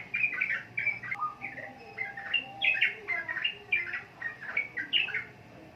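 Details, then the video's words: Sooty-headed bulbul, known in Indonesia as trucukan, sings a lively run of bubbly whistled phrases. The short slurred notes rise and fall, delivered in quick bursts about every half second with little background noise. "Burung Trucukan Kicau"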